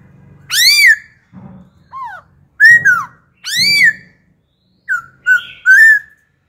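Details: Wild-caught adult laughingthrush switching song phrases to stir young birds into singing: loud, rich arched whistles and downslurred notes in separate bursts, with a low hum underneath.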